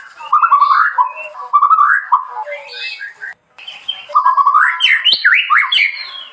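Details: White-rumped shama singing in the cool Bali countryside, delivering mellow warbled phrases of quick slurred notes, a short silence, then brighter zigzagging whistles rising and falling rapidly.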